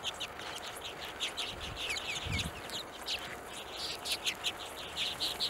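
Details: Hornemann's Arctic redpoll in Greenland, 2017: a busy run of short, high chirps and twitters throughout, with a few quick upward-sweeping notes midway and some dull low thumps near the two-second mark.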